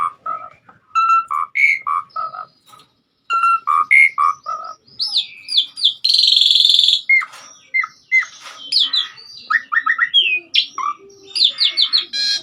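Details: Lively gacor singing by an Asian pied starling for masteran tutor audio: low whistled chuckles in clusters, then a harsh extended rasp and a flurry of high twittering whistles and trills.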